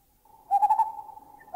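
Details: Lineated barbets in a Thai national park: one gives a low, hollow, bubbling hoot in three quick pulses, then another joins with a double-note call running on steadily; greater cuckoo whooping in the background.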